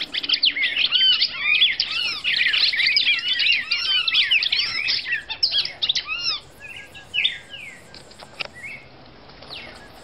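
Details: Female red-crested cardinal from Brazil pouring out a thick, fast twitter of chirps and curved whistles for about six seconds, then tapering off into scattered, softer notes.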